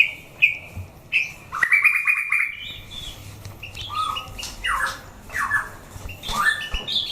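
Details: A white-rumped shama tested for fighting, giving a pure held whistle, then rapid trilled notes and several downward-sweeping slurred whistles with rough squawky edges, amid a faint low hum.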